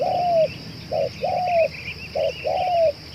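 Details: Spotted dove used as a calling lure, said to keep up its cooing for two hours, repeats a short note and a longer, smoothly falling coo three times, against a faint continuous high whine.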